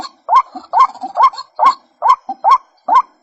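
A White-breasted Waterhen gives loud, harsh, rising croaks, about seven in three seconds, with softer grunting notes between them.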